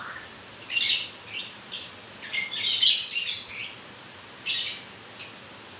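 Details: Moulting white-rumped shama delivering high thin whistles and dense buzzy bursts in uneven bouts, with short silent pauses between phrases.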